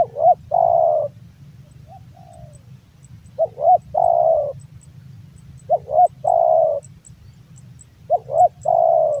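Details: Hobby-kept male spotted dove of the Javan type repeating its big-voiced coo roughly every two seconds, four phrases of two quick rising notes and a long falling hoot. Faint high ticks and a low rumble sit behind.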